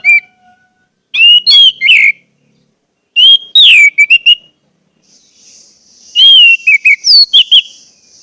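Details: Orange-headed thrush singing, recorded as a lure to stir silent birds into song: three bursts of rich whistled notes, some sliding downward, each burst about a second long with silent gaps, a faint high hiss near the end.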